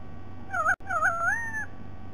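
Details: White-bellied sea eagle giving two nasal, honking notes, the second long and gently rising, with a brief break between them and a low background hum.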